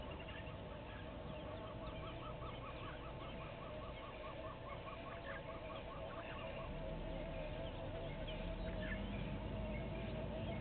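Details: Pair of red-billed hornbills at Gowrie dam waterhole, Djuma Game Reserve, Sabi Sand, South Africa, afternoon of 3 November: rapid run of clucking notes repeated evenly, over steady low background noise and a rising rumble.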